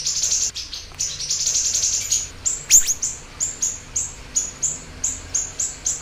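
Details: A siri-siri bird in full song, used as a lure and tutor recording: a dense run of high trilled chirps, then evenly spaced short high notes repeated about twice each second.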